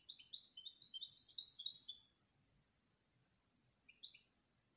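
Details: Canary song: two seconds of quick, chattering high chirps that rise into a sharper burst, a pause, then a short phrase of a few repeated notes.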